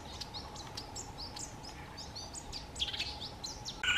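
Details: A green wood hoopoe gives its cackling call, likened to laughing women: a quick run of sharp, high chattering notes, several per second, over a steady low hum, with a sudden loud burst at the end.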